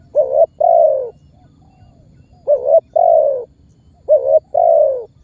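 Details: Spotted dove (tekukur) calling as a lure that makes other birds join in; three evenly spaced phrases of a clipped double note and a sustained falling coo.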